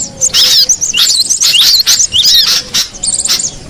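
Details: Cinereous tit calling in the wild, short bursts of squeaky, sliding high notes separated by brief gaps, lively and uneven in rhythm.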